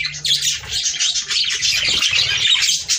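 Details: Loud, dense budgerigar chatter to encourage breeding, with an unbroken wash of harsh squawky warbling and scratchy notes throughout.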